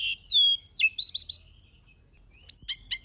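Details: Oriental magpie-robin song played to spur other birds into singing: clear descending whistles and fast chirps, then a short silence before a burst of sharp high notes.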